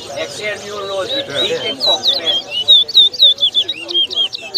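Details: Towa towa, or chestnut-bellied seed finch, at a singing contest in Lusignan, Guyana, 2022: crowd chatter and voices at first, then a quick series of bright, thin, slurred whistles repeated several times a second.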